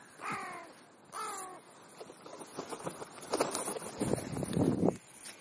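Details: Crow during a mid-morning feed: two loud, raspy caws about a second apart, followed by pecking, scraping and rustling feeding sounds.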